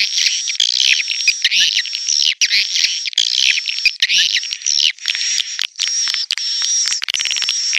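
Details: Swiftlet calling sound used to attract swiftlets, 2021: shrill, overlapping twittering in bursts, with a thin steady whistle-like tone running through.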